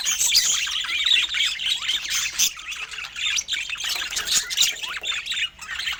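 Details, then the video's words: Budgerigars filmed in natural Scandinavian light, several birds chattering at once: dense, overlapping high chirps, warbles and short squawks, rapid and unbroken throughout, with no music or voices. "Balanced Fruit and Healthy Food for Budgies with Natural Sounds"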